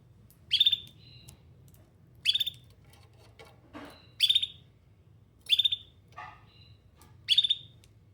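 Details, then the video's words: Canary repeating short, bright, buzzy trilled bursts about every 1.7 seconds, five in all, mixed with faint whistles and a few softer lower chirps in between, over a background hum. "Canary Singing"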